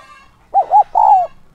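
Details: Single luring coo from a decoy spotted dove: two short hoots, then a longer coo that eases downward, loud and clear over near silence.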